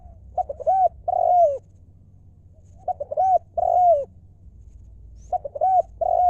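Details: Lio-style song of a wild spotted dove working as a ground decoy in Thailand: soft quick coos building to a long wavering falling coo. The phrase repeats about every two and a half seconds over a faint low hum.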